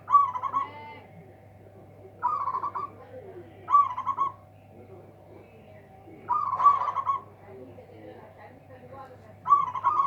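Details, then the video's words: Local zebra dove singing loudly to overpower rival birds, giving clipped, rolling coo phrases at irregular gaps of about one and a half to three seconds, with a constant background hum. "PERKUTUT LOKAL SUARA BESAR BIKIN LAWAN TAK BERKUTIK"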